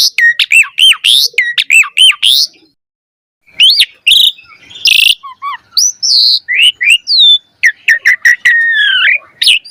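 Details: Asian pied starling in full, energetic song with rich varied phrases, played to stimulate other starlings to sing quickly. Bursts of looping whistles and harsh chattering notes, a brief pause, then wavering whistles and buzzy squawks.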